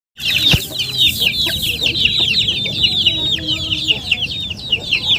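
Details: Chickens calling in a dense chorus of high, thin peeps, each a short downward-slurred whistle, overlapping rapidly and continuously for the whole stretch; faint low background rumble.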